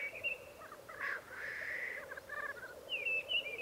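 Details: Black grouse display ground in the Piedmont Alps, Italy: an underlying low bubbling with short hisses, while clear, thin whistled notes ring out at the start and end.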